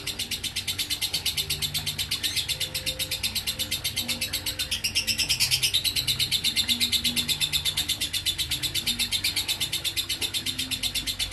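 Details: An unbroken shrill chatter from a lovebird, known as 'ngekek konslet'. Rapid high rasping notes surge in pulses near three per second and swell louder midway, with a soft humming drone in the background.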